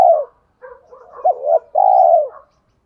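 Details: Spotted dove cooing in the giọng thổ pha đồng style, used to stir wild doves into cooing quickly: soft low murmurs, then a short hooked note and a long, steady, mellow coo that falls away at the end.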